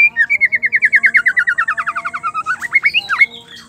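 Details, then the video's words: Female white-rumped shama song used to trigger singing in males; a fast trill of about twenty evenly repeated whistled notes slowly falling in pitch, then a few sharp upswept whistles before fading. "Murai batu trotol pastol dewasa smua pasti nyaut dengar suara Murai betina gacor"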